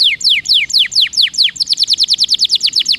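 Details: Rolling canary song used to start quiet canaries singing: slower, long downward whistled slurs, about three per second, speeding into a tight run of short, bright repeated notes.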